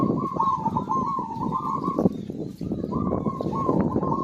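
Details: Zebra dove song used to stimulate quiet birds: a long run of rapid, rolling coo notes, a brief break, then another trilled phrase, over thick low-frequency background noise.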